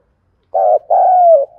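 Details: Morning call of a decoy spotted dove: a short hoarse coo, a brief pause, then a drawn-out coo gently falling in pitch.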